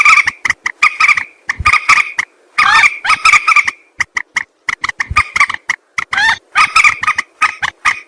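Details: Jal morgi, the common moorhen, heard as a hunting lure: irregular bursts of rapid, coarse clucks, some notes wavering in pitch, with brief quiet gaps between runs.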